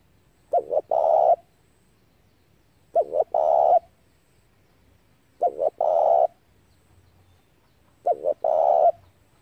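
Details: Lure recording of a spotted dove for trapping: four identical phrases, each two brief hooked notes and a long rough coo, repeated roughly every two and a half seconds in a quiet setting.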